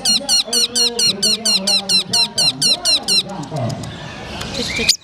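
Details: Long-tailed shrike at a songbird contest, said to come from Madura: loud sharp notes with ringing overtones repeated about twice a second for three seconds, then stopping, while a man talks underneath.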